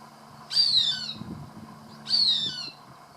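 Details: Cooper's hawk voicing pleasure while eating a rat it caught, seen from a garage door: two strong, descending squealed calls about one and a half seconds apart, with faint low knocks between them.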